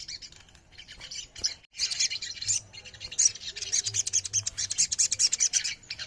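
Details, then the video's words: A dense chorus of high, thin chirps and twitters from several small birds, overlapping almost without pause throughout; ruby-throated myzornis. "TERAPI OMBYOKAN SOGON LANGSUNG BUNYI"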